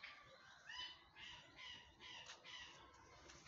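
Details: A peacock (Indian peafowl) gives a rapid series of about five harsh, nasal honks, roughly two per second, over a faint background hiss.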